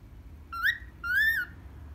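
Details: Two loud, clear whistles from a happy pet cockatiel in the morning: a short upward-swooping note, then a longer, level, rich note that drops at the end.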